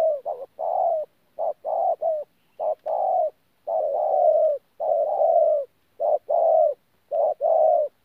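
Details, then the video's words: Wild-caught spotted dove, Tu Mo Rong, 14 January 2019, calling in thổ style with gù cooing: dense low hoarse coos in short-long groups, some quick doubled notes, nearly continuous over several seconds. "BỔI THỔ PHA GÙ QUÁ TỐT"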